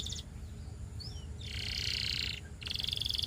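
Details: Russian canary singing: a brief high buzzy trill, then a sweeping whistle, a long rolling trill held over a second, and a rapid pulsed trill at the end, over a steady low hum.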